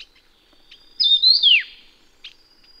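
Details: Taiwan yuhina, a bird endemic to Taiwan's low to high mountains, gives a single loud whistled phrase: a high warbling note that ends in a sharp downward slur, with faint soft chips before and after.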